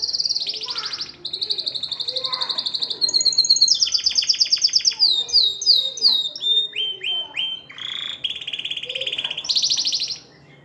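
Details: Canary singing to stimulate females to mate: a rich, varied song of fast rolled trills and buzzy tours, high whistled notes, and a series of quick descending slurred notes, with a brief pause near the end.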